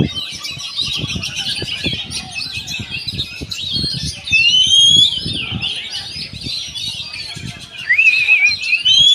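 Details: Energetic oriental magpie-robin song of tangled chirps with two bursts of long, clear, rising whistled phrases, backed by faint low tapping.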